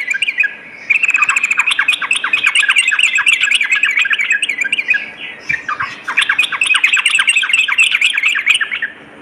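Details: Night-time Sooty-headed bulbul song, used as training therapy for fighter trucukan: long, dense chattering streams of sharp chirps and squawky notes, broken by one short gap, busy and continuous throughout.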